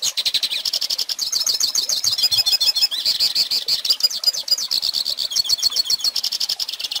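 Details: Hooded siskin singing in a recording meant for teaching young birds: a fast, unbroken twitter of high, bright notes with rapid trills and buzzy slurs, pouring on without pause.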